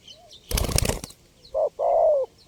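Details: Spotted dove with a burst of wing-flapping, then a short coo and a longer, gently falling coo.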